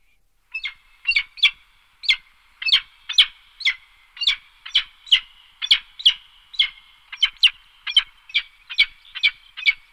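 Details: Peregrine falcon calling in sharp, clipped notes, uttered singly or in quick pairs about twice a second for several seconds, against a quiet background.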